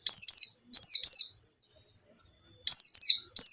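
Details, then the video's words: White-eye singing in a cage, a lure recording meant to stir a lazy bird into song: bright, high whistles sliding downward, each opening with a sharp click, in quick paired phrases. "PANCINGAN PLECI MALES BUNYI | pleci bustomi gacor"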